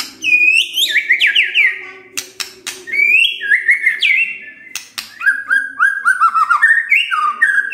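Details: White-rumped shama morning song used to coax a silent bird to sing: loud descending whistled phrases interrupted by sharp clicks, then a run of lower repeated whistles over a faint hum.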